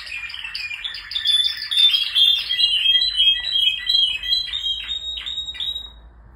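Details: Male Spanish Timbrado canaries in full song, dense high trills and bell-like ringing notes, then a run of quick descending chirps that fades out near the end.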